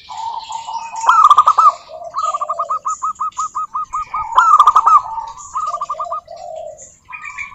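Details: Local zebra dove whose song is used to provoke other doves: loud accented bursts alternating with long, even runs of rapid staccato coos, and a lower second dove voice overlapping.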